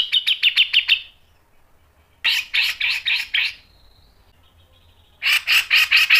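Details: Grey-cheeked bulbul, masteran recording: a pulsed rattle, then a run of five harsh chattering notes ending in a thin whistle, and a final burst of fast, loud chatter.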